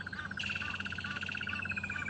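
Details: Two Crested Barbets call together near their nest at sunrise on 3 January, agitated by a leopard a few metres away: a fast, even, buzzy trill of about ten notes per second, one voice higher; faint low background sounds.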